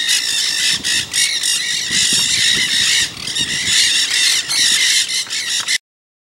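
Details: Noisy Nanday parakeets chatter in California's Santa Monica Mountains, recorded 24 October 2020: continuous raucous screeching calls overlapping in bursts, ending abruptly after about six seconds.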